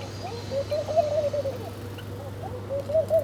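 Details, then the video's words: Low, rolling coos come from a bird at its morning feed, two wavering phrases separated by a short pause, over a constant low-pitched hum. "Different Birds Chirping Sound || Birds Are Breakfasting || Birds Eating Food"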